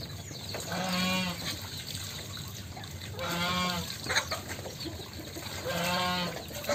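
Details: Goose playing in water, giving three drawn-out, nasal, harmonic honks about two and a half seconds apart over steady splashing and trickling water.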